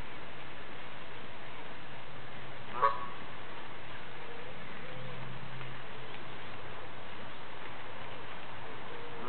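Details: A pet Canada goose that comes to confide in its owner gives a single short honk early on, then quiet low rumbling background for the rest.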